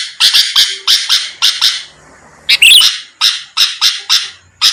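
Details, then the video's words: Sooty-headed bulbul singing to bait rival birds; paired rasping notes, a quiet gap, then a sharp burst with a high thin whistle, followed by more evenly spaced harsh notes. "pancingan Suara burung kutilang gacor⁉️lawan langsung merespon cepat"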